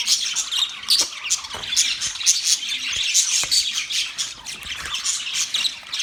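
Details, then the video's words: Continuous budgie chatter: dense high-pitched chirps, squawks and warbles from several birds, with occasional clicks and soft knocking sounds. "Budgies chirping sound"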